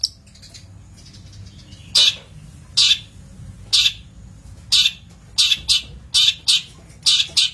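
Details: Long-tailed shrike on a training master recording gives loud, rasping, broadband squawks, spaced at first and then coming faster, roughly once a second, over a faint low hum.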